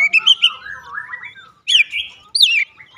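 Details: Oriental magpie-robin singing as a prompt to set other birds singing: a few clear whistled notes, a soft warbled passage, then two loud swooping downslurred whistles.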